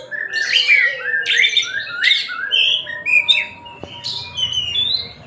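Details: Tasikmalaya-type white-rumped shama pouring out a fast medley of slurred whistles and buzzy sweeps, phrases tumbling downward in pitch, with a sharp click in the middle.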